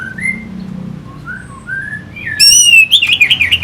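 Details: Orange-headed thrush (Geokichla citrina) song used as a lure to stir fighter birds: soft short whistles gliding up and down, then loud sharp ringing notes followed by a quick run of buzzy, warbled phrases.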